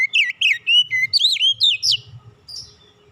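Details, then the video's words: Oriental magpie-robin in relaxed lure song for provoking other birds to sing: a fast, loud string of swooping, slurred whistles, roughly four notes per second, fading into a soft high note. "kicauan nyantai pancingan ampuh Kacer bahan cepat gacor"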